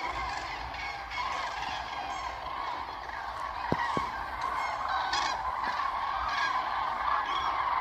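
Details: Common cranes flocking on lagoon meadows near Ribnitz, Baltic Sea, Germany, partly flushed when a farmer brought cattle feed: dense chorus of trumpeting calls building in strength, with two sharp knocks midway.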